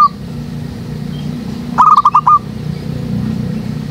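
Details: Zebra dove calling from a jackfruit tree behind a house, used as a lure for trapping doves: one quick phrase of about five short, clipped cooing notes at steady mid pitch, over a low steady hum.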